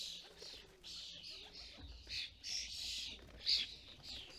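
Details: Starlings at a UK custom-built feeder, adults gathering food for fledglings; grating, buzzy squawks come in a near-continuous series, one louder screech near the end, over a low background rumble.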